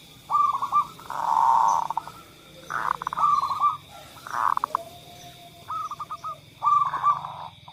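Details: Zebra doves cooing as a lure for birds that rarely sing: repeated loud bursts of rolling coos alternating with quicker stuttered phrases, several singers overlapping.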